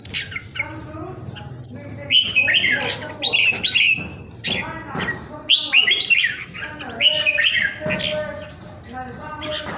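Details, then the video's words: A pet red-whiskered bulbul, kept at home and well cared for in Vietnam during Covid, gives a powerful song. Loud, fluty, warbled phrases come in bursts separated by short pauses, with sharp clicks between them. "PHI CƠ MẶT ĐẤT CHÀO MÀO VIỆT"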